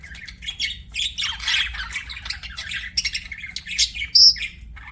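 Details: Budgerigar chattering nonstop in a busy, scratchy warble, mixing quick chirps, buzzy notes and one sharp high squeak near the end, against a quiet low background hum.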